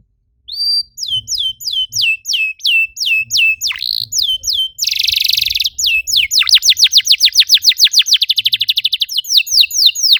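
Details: Canary song used to coax other canaries to sing: evenly spaced hooked whistles, a short harsh buzz, then a long accelerating series of rapid descending sweeps.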